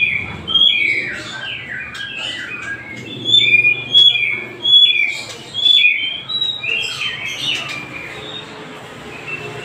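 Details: White-rumped shama song used to provoke a reluctant shama into singing, with harsh phrases of the cililin style: varied whistled and slurred notes at mid-high pitch, some sharp accented notes, over a steady hum and background noise.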